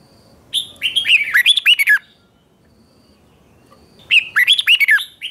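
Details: Morning training song of a red-whiskered bulbul in the chè style, 2024: two lively phrases of bright, quickly alternating whistled notes with steep downward slurs, separated by a two-second silence.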